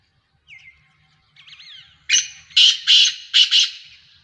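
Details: Black francolin (kala teetar), a Sheedi cross Nasal strain from Sindh and Punjab: a few faint whistled notes, then four loud, harsh, rasping bursts in quick succession, the last two paired.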